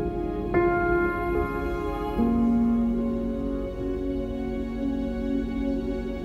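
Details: Slow, gentle instrumental music with sustained tones and soft plucked notes, calm and melancholy in mood.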